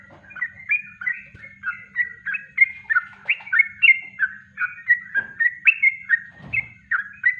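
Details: Yellow-vented bulbul singing a natural kongslet-style song, used as a master recording for training birds: rapid bubbly, liquid two-part notes, repeated about three times a second over a faint low hum.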